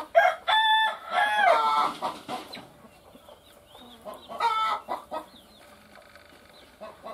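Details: A hen laying an egg utters loud harmonic squawks and clucks in two bursts, with quieter faint chirps in between.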